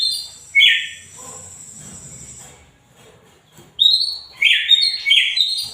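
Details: Greater green leafbird in full voice: one sharp whistled note, a long quiet stretch with a thin steady high tone, then a burst of loud rapid chattering whistles.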